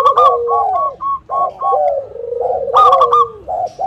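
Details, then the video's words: Local zebra doves singing to lure other doves into song: steady clipped higher notes paired with soft rolling coos, a brighter stuttered burst, then a long sliding coo. "SUARA PANCINGAN PERKUTUT BIKIN EMOSI MALAS BUNYI IKUT NYAUT"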